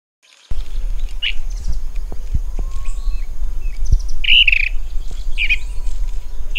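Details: Little woodpecker (Veniliornis passerinus): short squeaky, slightly buzzy calls given singly and in small clusters, the loudest pair near the middle, over a steady low rumble of background noise.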